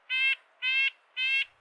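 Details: A Red-breasted Nuthatch gives three nasal, tinny yank notes, evenly spaced about half a second apart, in a quiet background: the territorial yank call, which tells other males the area is occupied and attracts a female.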